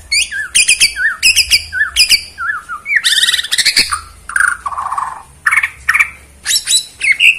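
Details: White-rumped shama from Borneo in bowing display, singing against a rival bird: sharp repeated chip notes, wavering whistles, then rich warbled phrases and scratchy rolls, delivered at full volume.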